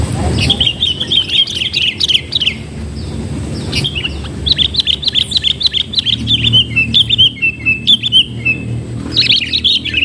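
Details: Sooty-headed bulbul calling during bird trapping with a decoy: bright, chirpy phrases of quick notes, given in bursts of about a second with short pauses, one brief squeaky outburst near the end; faint low rumble underneath.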